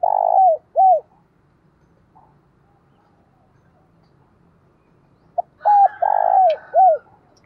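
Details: Decoy spotted dove calling to stir other doves into cooing: two arched mellow hoots open, then a quiet gap, then a full phrase of a clipped note, arched hoots, a long rich coo and a closing downslur.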